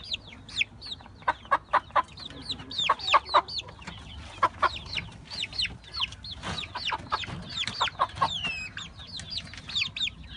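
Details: Brahma chickens, pullets with their chicks, kept for sale: a flock of high, rapid peeps and chirps, each a short sweep that rises then falls, often in quick bursts of two or three, many birds calling over a low background rumble.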